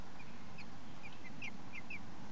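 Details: Common blackbird chicks six days old: short, thin, slightly rising chirps repeated in quick irregular series, faint over a steady low hum.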